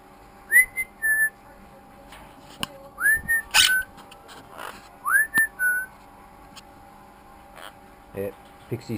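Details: Pet female monk (Quaker) parakeet aged 10 weeks gives clear rising whistles, each followed by a short level note, repeated three times, indoors.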